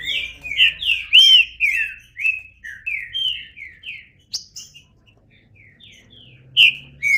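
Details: Trinca-ferro, the green-winged saltator, sings a string of bright whistled slurs, loud at first and then trailing into softer, shorter notes before a final emphatic whistle.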